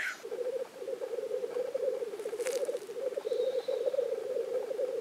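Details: Black grouse lek in Innvik, 2014, dominated by continuous low, dove-like bubbling rolls of rapid pulses, with a brief hiss at the very start and a faint thin whistle midway.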